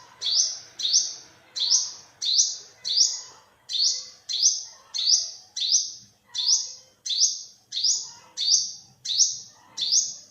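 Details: Olive-backed sunbird, recorded 2021: a persistent run of some fifteen high, thin upslurred notes across ten seconds, evenly paced, each with a hard attack and a fading end. Other birds murmur quietly in the background.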